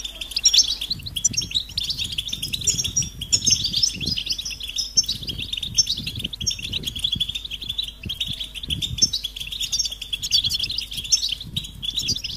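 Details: European goldfinch mating calls meant to rouse silent males into song: long, steady, high twittering chatter of quick tinkling notes, with scattered low knocks and rumbling thuds below.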